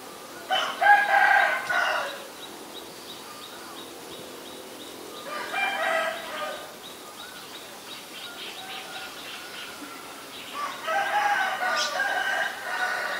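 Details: Black-collared starling, Ubon Ratchathani, Thailand, 17 April 2022; three separate loud bursts of rasping, squealing chatter with whistled squeaks, spaced several seconds apart, with soft repeated high chips between them.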